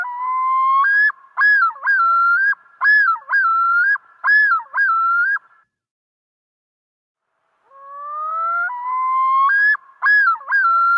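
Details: A male common loon on a Minnesota lake yodels, an alarm or distress call used in territorial defence: a long rising wail, then about six quick wavering two-note phrases, and after a short silence a second yodel begins.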